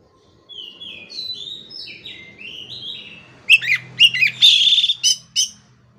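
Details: Oriental magpie-robin song used as a tutor track to rouse stressed, silent birds into singing: a run of clear whistled phrases sliding between high and mid pitch, then loud sharp chirps and a harsh buzzy burst over a faint low hum.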